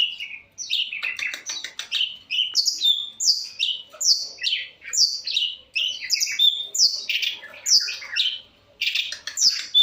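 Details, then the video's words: Long-tailed shrike singing with a fully varied repertoire: a continuous, fast, chattering medley of sharp high notes, buzzy trills and short whistles, coming in bursts of about a second with brief gaps. "pentet cendet gacoorr suara full variasi"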